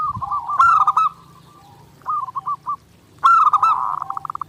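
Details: Prolific zebra dove singing, clear master recording for daily training: a rolling, pulsed coo, a short broken phrase after a pause, then a bright accented burst ending in fast stuttered notes.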